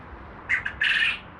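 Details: A lonely male Japanese (Coturnix) quail, kept apart from his hens, gives a harsh, buzzy crow: a short note, a quick catch, then a longer rasping burst, all within a second, amid competitive crowing.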